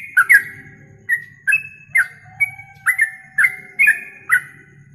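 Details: Yellow-vented bulbul song used as a training recording for songbird contests, for morning and night. Short bubbly two-part notes rise and fall around the mid range, repeated roughly every half second, with a faint steady low hum underneath.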